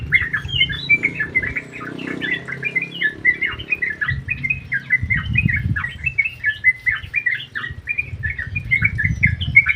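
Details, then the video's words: Caged yellow-vented bulbuls in an aviary chatter steadily, with short liquid whistles and chirps repeated in a fast, even rhythm throughout, over intermittent low rumbling noise. "KICAU BURUNG TRUCUK GACOR 👍 Di DALAM AVIARY"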